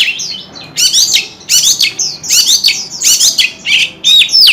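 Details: White-rumped shama singing with its tail fanned: energetic repeated bursts of rich, jumbled chattering notes and sweeping whistles, about one phrase per second.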